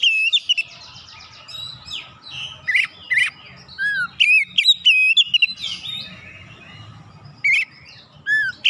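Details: Song of an oriental magpie-robin meant to fire up rivals: many varied phrases mixing pure whistles, descending slurs and sharp ticking notes, pausing briefly between bursts, with low background noise.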